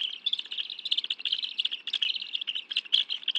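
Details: At a bald eagle nest in Washington, D.C.'s National Arboretum, June 2017, the adults bring fish for a meal with two young. A dense, fast stream of shrill chirping notes continues without pause.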